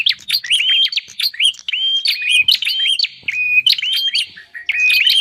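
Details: Bird lure of the bar-winged prinia: a continuous stream of high, whistled notes, some held flat and some bending, punctuated by dry snapping clicks in fast irregular phrases.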